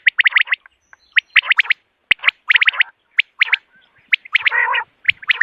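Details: Common quail in the morning, a call used in hunting: rapid bright, clicking triplets repeated in short runs, with one longer harsh, buzzy burst near the end.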